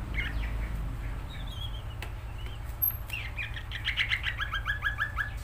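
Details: Greater green leafbird (cucak ijo) in energetic song: scattered whistled notes build into a quick, rhythmic series of repeated chirping phrases, with loud low rumbling background noise throughout.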